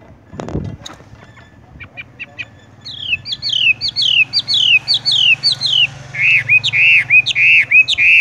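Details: Horsfield's bush lark (wambie), tung roll singing style: after a quiet start with a few soft ticks, a series of descending whistled slurs builds, then loud looping rolled whistles repeated about twice per second.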